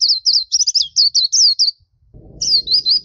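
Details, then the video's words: Continuous chattering song of a black-capped white-eye: about a dozen quick, high, twisting whistles in a steady run, a short break with soft low background noise, then several more sliding whistled notes. "Masteran suara burung Pleci Topi Hitam/Dahi Hitam gacor"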